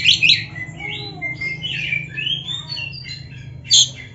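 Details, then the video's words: Oriental magpie-robin song meant to excite other magpie-robins, heard with a steady low hum. Sharp opening notes give way to soft drawn-out whistles and gentle slurs, then a short loud burst near the end. "MASTERAN KACER GACOR ISIAN MEWAH ‼️ - AMPUH BIKIN KACER LAIN CEPAT PANAS"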